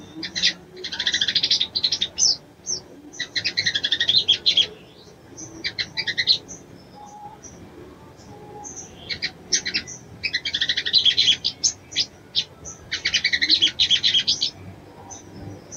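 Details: Female ruby-cheeked sunbird calling a male to stir his breeding urge: dense bursts of rapid high chattering chirps, each lasting one to two seconds, separated by short silences, over roughly sixteen seconds.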